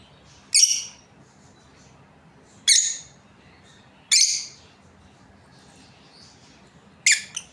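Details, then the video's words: Australian lovebirds from a breeding pair giving isolated sharp, screechy chirps about every one and a half to two seconds, four calls in all, separated by quiet indoor background. "Australian Lovebirds Chirping Sounds | breeding pair"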